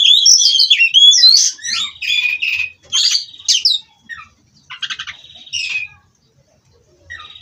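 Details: Nonstop rolling song of a white-rumped shama, locally called kacer: loud varied whistles and harsh notes at first, then scattered rattling trills and shorter phrases with gaps.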